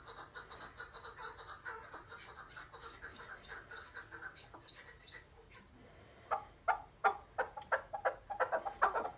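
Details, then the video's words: A chukar partridge, in what may be a group din, gives a fast run of harsh, clucking notes at about three a second. The notes are soft and steady at first, then louder and sharper near the end. "Keklik Sesi Efsane (Keklik Hengamesi)"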